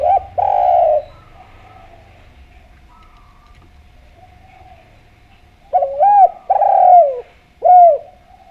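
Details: Vigorously cooing Javanese spotted dove used as a lure to prompt other doves to call: a low mellow coo opens, a long pause follows, then a looping double note, a drawn-out coo and a short falling final coo.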